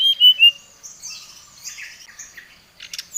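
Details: Brown-chested jungle flycatcher singing emotionally to challenge a rival: two bright whistled notes open, followed by scratchy, buzzy chattering phrases and a short rattle near the end.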